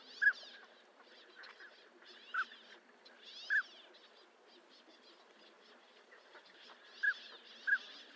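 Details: Sparse, brief whistled notes from a northern pintail, a few isolated calls separated by long gaps, against a background of distant twittering birds.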